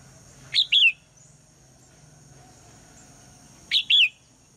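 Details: Female red-whiskered bulbul in the morning, calling for the male to sing: two high two-note phrases some three seconds apart, a sharp downslurred chirp then a longer wavering whistle, with a low hum beneath.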